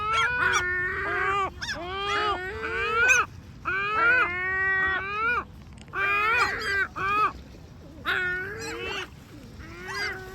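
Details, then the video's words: Great black-backed gulls making complaining sounds: bursts of two to four drawn, nasal mewing wails separated by short gaps. The bursts repeat roughly every one to two seconds. "SVARTBAK SEAGULLS FUNNY COMLAINING SOUNDS"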